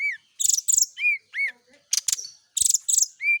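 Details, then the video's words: Morning dew-exposed brown-chested jungle flycatcher, a kept bird, alternating arched whistled notes with short harsh buzzy bursts in a brisk repeating pattern. "pengembunan SRDC di pagi hari biar rajin bunyi."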